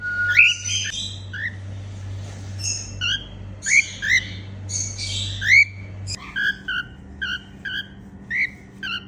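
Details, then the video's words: Happy sounds from a female cockatiel: a long varied run of rising whistles, chirps and rasping notes, about one per second, with a low hum that stops partway. "Female cockatiel singing & making happy sounds"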